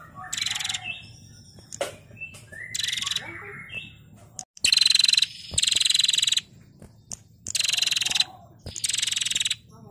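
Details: Trilling song of a female prinia, known locally as prenjak, recorded for tutoring songbirds: repeated loud, rasping pulsed rattles, some nearly a second long, alternating with brief quieter chirps and twittering notes.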